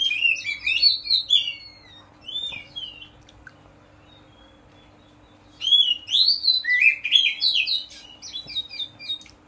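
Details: Ngeplong song, used as a lure to prompt Oriental magpie-robins to answer: two bursts of quick, varied, warbling high notes, each about three seconds long, separated by a pause, over a faint steady low hum.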